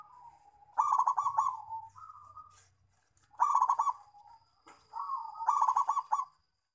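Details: Local zebra dove song used as a lure and to coax doves that stopped singing: three phrases, each a short rising coo leading into a fast stuttering run of coos, about every two and a half seconds.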